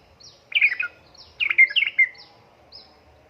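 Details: Female sooty-headed bulbul calling a male: two bubbly, tumbling phrases of slurred notes, each about half a second long, with faint thin high notes between them.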